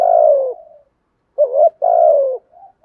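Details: Decoy spotted dove prompting wild doves to coo: a long descending coo fading into a soft tail, silence, then a wavering upward note and another long falling coo, with faint trailing murmurs.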